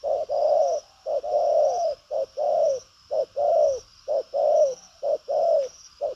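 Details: 'Đồng pha chân cua' spotted dove, a strong, busy cooer, repeating 'thúc gù có lèo' coos: about six steady short-long pairs of deep mellow notes at roughly one-second intervals, faint high hiss above.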